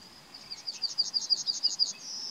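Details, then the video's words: Yellowhammer song recorded in May 2020. A rapid string of bright, high, repeated notes swells in strength and runs into a sustained, slightly buzzy closing note, over a quiet background. "Citromsármány // Yellowhammer"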